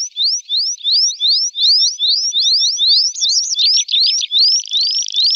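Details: Tree pipit in summer, song and calls: a fast run of thin, high, slurred notes, four or five a second, then a brief trill and slower drawn-out 'seea' notes.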